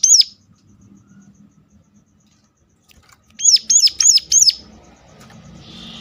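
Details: Sunda warbler sounding its sharp lure call for other birds of its kind: one high note, a long quiet gap, then a tight burst of four arched, piercing notes, with faint hiss after.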